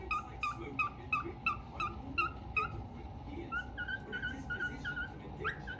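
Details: An albino cockatiel sitting on top of a fan whistles a run of clear, evenly spaced notes, then a looser rising and falling phrase.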